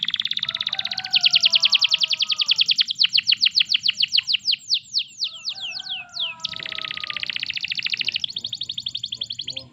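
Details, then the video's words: Canary song used to prompt other canaries: fast rattling trills, a run of sweeping whistled notes, then more rapid buzzy trills, with faint lower tones from another bird in the background. "Masteran Suara Burung Kenari || AMPUH Untuk Memancing Kenari Lain Agar Ikut Gacor !!!"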